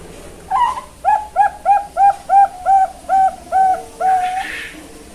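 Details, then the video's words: Young, talented zebra dove, a captive bird at a bird farm in Kebumen, Central Java, Indonesia, sings a steady run of about nine mellow, slightly bending coo notes, each about a third of a second apart, ending in a rougher drawn-out note indoors. "SUARA PIYIK PERKUTUT BERBAKAT CALON SUARA BESAR"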